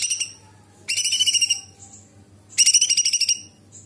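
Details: Cucak cungkok bulbul singing actively, its song filled with mimicry of other birds and insects and sharp bursts, for training birds: two loud bursts of fast, high, rattling notes, each about half a second to a second long, separated by quiet gaps.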